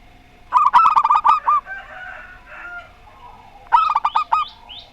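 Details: Local zebra dove singing in the Rondo Semoyo style, set against a strange-voiced zebra dove: a quick burst of about seven mellow, rolling coos, a quiet gap with faint background murmur, then a second similar burst.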